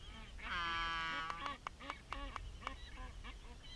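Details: Black-footed albatross feeding a chick on Midway Atoll. A nasal, harmonic-rich call lasting under a second is followed by a series of short pulsed notes, repeated roughly three times per second and fading out.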